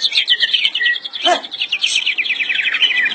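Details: White-rumped shama song made of dense, high buzzy trills that continue unbroken, with a short lower note and a sharp upslurred accent about a second in.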